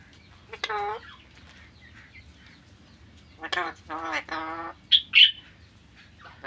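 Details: Alexandrine parakeet calling in a short series: a rasping squawk, a pause, then three grating squawks in close succession and two sharp, high, clipped notes, with quiet steady hum between calls.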